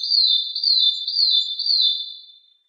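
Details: Madi injap song meant for training other songbirds: a clear, high whistled phrase of four falling slurred notes, repeated about twice a second before fading out.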